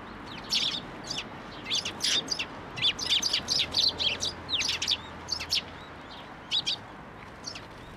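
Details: Several sparrows gather on a fence post at a Tenmangu shrine in April 2023, waiting to be fed, calling in a busy run of sharp, high chirps, many in quick pairs, then thinning out toward the end.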